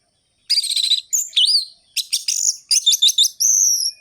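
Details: Varied orange-headed thrush singing used as a lure for reluctant birds: buzzy trilled notes, twisting whistles, rattling series and a final long high whistled note, all sharp and rhythmic against silence.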